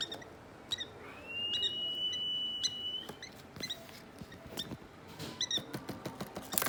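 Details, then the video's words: Three-week-old hand-fed African lovebird chicks at play indoors: a thin, high whistle held level for about two seconds, with short squeaky chirps and scattered clicks and tapping around it. "Cute 3 weeks old African Lovebirds playing"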